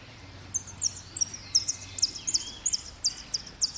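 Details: Goldfinch singing in the repique style at Merlo, dated 03/01/2016: a quick run of thin, very high, sharp notes in about ten bright bursts over under four seconds, with a faint low hum beneath.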